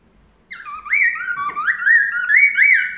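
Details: Melodious laughingthrush singing a master song meant to make other birds answer: loud, rich, whistled phrases that slide up and down, becoming a continuous flowing warble with repeated rising and falling notes over a near-silent background.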